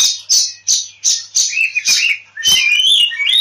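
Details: Oriental magpie-robin in fighting song, used as a lure to draw other birds into singing: a run of harsh repeated rasping notes about three per second, then rich whistled phrases with sliding and warbling notes.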